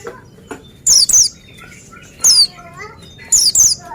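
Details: Bright doubled whistles from an Oriental white-eye, each note dropping sharply in pitch, repeated three times, with softer lower warbled notes and twitters in the background.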